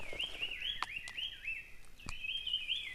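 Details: Siberian blue robin in the hills around Vahrit, Khuangthli and Reiek, Mizoram, giving a continuous wavering, warbled phrase of looping notes with a few sharp clicks breaking in, over a faint low background hum.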